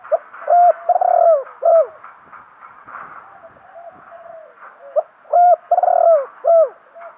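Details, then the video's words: Lure spotted dove calling in the thúc gù style: loud bursts of deep coos at the start and the end, with gentler rolling coos between them. "chim cu mồi thúc gù, chim cu gáy kích bổi mới nhất, cu cườm thúc gù giọng hay"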